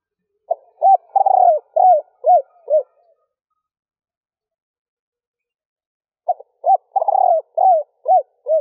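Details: Female spotted dove giving a stuttering three-ending coo to excite males and make them call: two low phrases, each a short note, a rolling stuttered coo, then four or five arched hoots, separated by silence.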